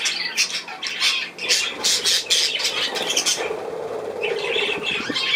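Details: Several budgerigars on 10 June 2024 giving scratchy squawks and chirps in quick overlapping bursts, the chorus dipping briefly midway before picking up again.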